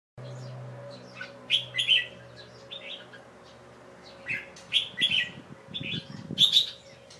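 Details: Young caged Red-whiskered Bulbul singing on 1 January 2012 in late afternoon after a bath, covered to rest; bright chirpy whistled phrases in short clusters, with a low steady hum underneath.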